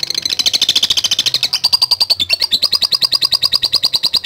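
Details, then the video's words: Lovebird singing 'latah gacor', a song for calling rivals in bird contests: a fast, unbroken run of high rattling chirps, about eleven per second, steady in pitch and loudness throughout. "Ampuh Memanggil Lawan | LOVE BIRD LATAH GACOR"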